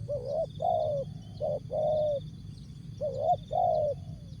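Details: Spotted dove (tekukur) singing in the jergot, tapau or bungkus style: three phrases of hollow low coos, each a short note followed by a longer drawn one, with steady high whining tones and a low rumble behind.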